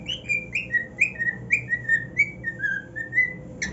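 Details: Happy cockatiel on a new nest gives a steady series of pure, whistled notes that glide downward, evenly spaced, ending on a brief bright chirp.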